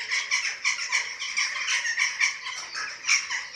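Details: Nest of Eurasian eagle-owls in Germany, 27 March 2024, at feeding time on webcam: steady, pulsing rasping calls, evenly spaced short harsh bursts running without pause.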